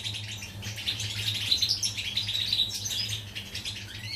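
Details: European goldfinch, 14 July 2019, pouring out a rapid jangle of high twittered notes, with a few clear whistled chirps and buzzy flourishes, over a constant low hum.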